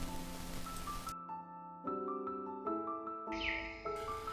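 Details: Gentle mallet-percussion music plays, with bright, ringing, xylophone-like notes struck in short phrases and no animal voice.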